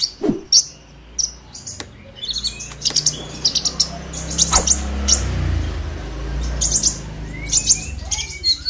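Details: High, spaced chirps and squeaks of a purple-throated sunbird in agitated 'ngobra emosi' style, used to lure young birds into song, over a steady low rumbling background hum.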